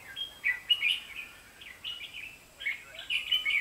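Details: Red-whiskered bulbuls at a trapping site on 23 October 2016, with a decoy bird singing while a pair fights nearby: short, bright, warbled whistled phrases in quick bursts, several notes rising and falling, with light background hiss.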